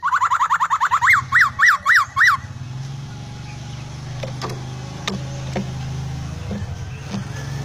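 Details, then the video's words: Laughingthrush in full, busy song with odd sounds: a fast series of bright rising-and-falling whistled notes for about two seconds, then only a steady low engine-like hum and scattered clicks. "Poksai gacor isian full...suara anehh"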